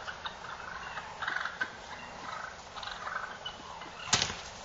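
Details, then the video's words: Wild turkey toms fighting, giving harsh, noisy bursts of calls in irregular clusters. A louder, sharper crack stands out near the end, over a steady hum. "Toms Fighting"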